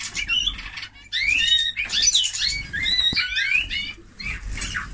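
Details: Eurasian bullfinch singing in clustered bursts of rising whistles, scratchy chatter and grating notes, with a short gap after the first second and a softer tail, low hum throughout.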